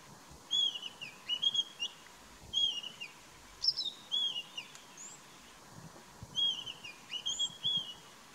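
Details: Brown-headed parrot feeding in Kruger National Park: shrill, squeaky, high notes given singly or in quick pairs every second or so, against a faint steady background hiss.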